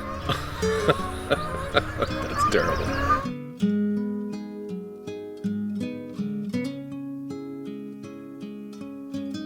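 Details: Acoustic guitar music, first dense and layered, then sparse plucked notes and chords.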